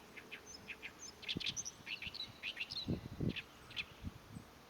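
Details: Oriental reed warbler in territorial song, recorded 23 April 2024: a continuous stream of rasping, chattering notes in quick repeated phrases, some squeakier high notes among them, with low-pitched knocks and thuds in the middle.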